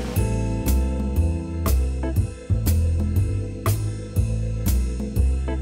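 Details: Drum-driven music with regular kick and cymbal hits beneath sustained bass notes, and no animal sounds.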